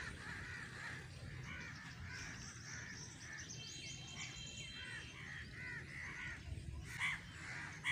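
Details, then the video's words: Crows giving harsh, arched caws about once a second, with thin high chirps from other birds above and a steady low background rumble. "crows || crowing sound"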